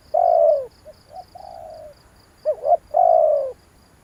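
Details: Spotted dove lure call to rouse decoys: a long hoarse croon, a soft distant reply of short notes and a level coo, then a near phrase of two wavering notes and another drawn-out falling croon; insects pulse steadily.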